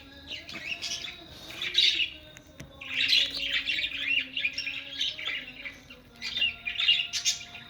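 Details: Breeding budgerigars in captivity chatter continuously in dense, warbling, scratchy phrases with squeaky chirps, pausing briefly between bouts, over a low constant hum.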